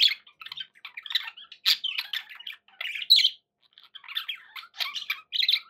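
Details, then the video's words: Captive budgies calling in a room: irregular bursts of harsh squawks, clicking chatter and squeaky chirps, a short silence midway before the chattering resumes. "11 hours of budgie sounds"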